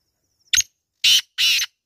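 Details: Kala teetar, the black francolin, calling: three loud, rasping notes, a short clipped first note followed by two longer harsh ones, with clean silence between them.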